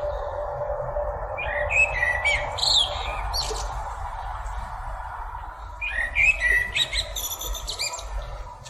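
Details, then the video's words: Birds singing outdoors, two bursts of high squeaky chirps and short whistled notes separated by a quieter stretch, over a steady broad rushing background noise and low rumble. "birds singing amazing sounds"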